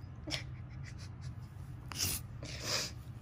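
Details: Female pet blue-and-gold macaw fake crying indoors, sniffling because her owner went downstairs; short breathy snuffling bursts at about 0.3, 2 and 2.7 seconds, with a low household hum underneath.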